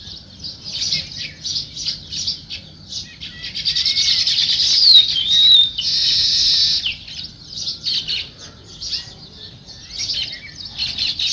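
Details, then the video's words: Sparrows chirping in a natural morning scene: bright, short chirps repeated in loose bursts, with a loud buzzy burst in the middle and a few thin sliding whistles from other birds. "Natural Sparrow Chirping Sounds"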